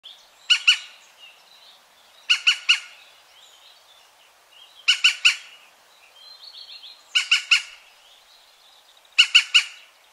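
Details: European green woodpecker recorded near Wittlich in 2017: harsh, ringing notes in tight bursts of three, repeated about every two seconds, with faint softer bird notes between the bursts.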